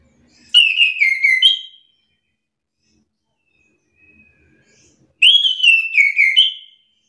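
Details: Orange-headed thrush singing back at another bird in an agitated exchange: two similar whistled phrases about five seconds apart, each slurring downward then jumping to a higher note, near-silence between.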